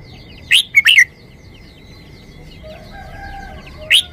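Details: Red-whiskered bulbul short-song phrase of three quick whistled notes, then a single bright note near the end, over a steady high whine and soft twittering.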